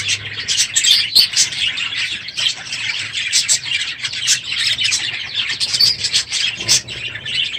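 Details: Many aviary budgerigars loud in the morning near the end of breeding season: dense overlapping chirps and squawks with a few sharper notes standing out.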